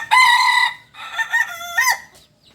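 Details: Kukuak Balenggek rooster, native to Solok in West Sumatra: a loud held crow note, a brief gap, then several shorter stepped syllables ending in a rising-falling flourish.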